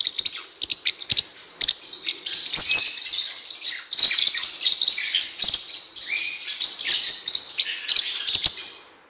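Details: Training song of the blue-winged parrotlet (Forpus xanthopterygius, cuiubinha): continuous high, rasping, chattering twitter broken by sharp clicking ticks, rising and falling in loudness across nine seconds.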